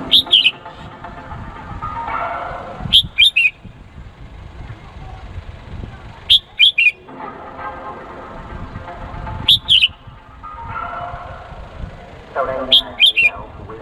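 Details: Male red-whiskered bulbul from Cambodia, used as a lure bird, calling a female: short, sharp, high chirp bursts in twos and threes, repeated roughly every three seconds, with low murmuring chatter filling the gaps.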